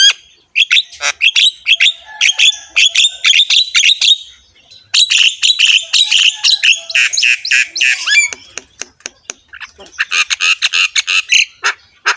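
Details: Harsh-voiced Javan myna singing actively while head-bobbing, its rich song used to train other mynas: long runs of rapid rasping chatter broken by one short pause, then sharp clicks and a final buzzy flurry.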